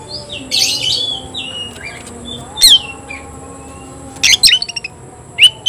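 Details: Oriental magpie-robin in a song contest with a rival, mixing harsh buzzy phrases and clear whistled slurs with quiet pauses, then a fast stuttering series of sharp high notes and a final loud chirp.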